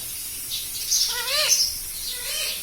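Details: Pet parrot talking, said to repeat words like mummy, papa and radhe radhe; two short wavering, voice-like harmonic phrases in the middle, a fainter one near the end, over a steady high hiss.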